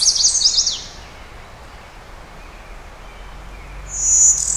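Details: Hybrid Brewster's Warbler with a Blue-winged warbler song, Oil Creek State Park, Pennsylvania, May 20, 2011, cloudy: a high, fluttering buzzy phrase opens, and another steady high buzz follows about three seconds later, over constant hiss.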